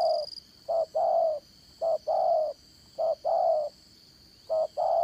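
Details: Decoy spotted dove for dán cổ trapping, voice style Đồng Son, giving four paired coos: a brief low note then a drawn-out mellow one, phrases about a second apart, with a thin steady whine in the background.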